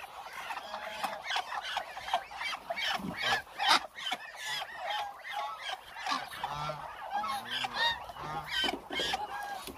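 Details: Hungry Muscovy ducks in a flock of roughly a thousand, making a busy tangle of short, nasal calls from many birds at once, with louder single honks standing out now and then.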